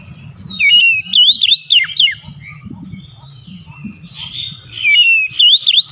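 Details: Oriental magpie-robin song offered as a lure for a silent bird: two loud bouts of rich whistled, looping phrases separated by softer warbling, with low muffled background noise.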